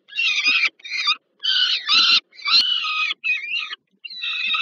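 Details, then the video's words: Harsh, grating screams from Peregrine falcons at the Żerań power plant nest in Warsaw, Poland, during a food delivery to a young bird on 15 August 2022; choppy bursts of about half a second come in quick succession. "Sokół wędrowny Warszawa, Termika Żerań (PL)- Elektra & Gratka, Nella z dostawą dla Gratki"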